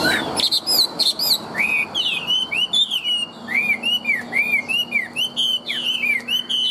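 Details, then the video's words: Large tame Chinese hwamei singing strongly: bright high whistles, then a steady run of arched, slurred notes, each about a third of a second apart. "Chim họa mi thuần - Bộ To - Hót hét rất tốt"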